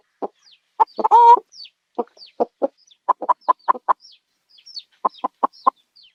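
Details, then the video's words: Chicken giving short, clipped clucks in loose runs, with one longer drawn-out cackling note near the start; quiet between calls. "the CHICKEN SOUND"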